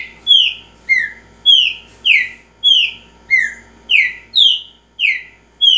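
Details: Green-winged saltator giving a repeating song: loud whistled slurred notes, each falling and fading, delivered about every half second in a steady series; faint low hum beneath.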